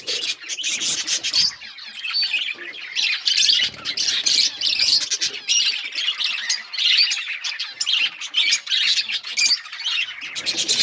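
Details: Several budgies chirping on February 18, 2024, filling the recording with overlapping scratchy warbles, squawks and quick tweets that barely pause, the busy chatter swelling and fading in waves.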